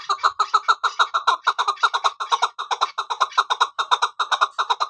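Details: Female chukar partridge used in hunting giving a steady, rapid series of harsh, chuckling cluck notes, roughly three to four per second, continuing throughout without a pause.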